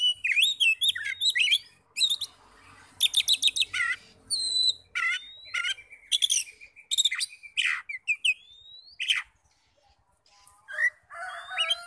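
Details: Oriental magpie-robin lure song aimed at stirring rival singing: long varied stream of shrill whistles, buzzy rattles, upswept notes and chatter, easing into softer scattered phrases near the end.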